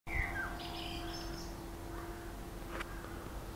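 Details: A single bird on a long singing session along the Zmajčkova pot trail at Slovenske Konjice, Slovenia, gives a quick phrase of high, sliding whistled notes, then falls silent against a steady outdoor hum and low background noise.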